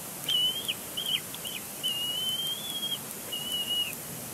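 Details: Bald eagle chick at Big Bear Lake, April 2022, vocalizing during a tantrum at its father on the nest: short, broken high whistles, then a longer wavering squeal and a fading final note, over soft background hiss.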